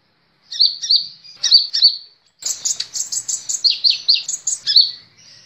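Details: Kolibri ninja sunbird song used as a tutor for caged birds: a few sharp, sliding high chirps, a brief pause, then a fast, busy sequence of thin twittering notes that dip and rise in pitch.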